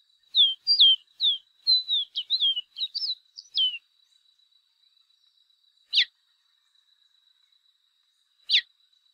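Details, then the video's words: Chestnut seedeater song: a quick, high jumble of sweet slurred whistles for about three seconds, followed by two sharp downslurred single notes. "O CANTO DO CABOCLINHO DE CHAPÉU CINZENTO"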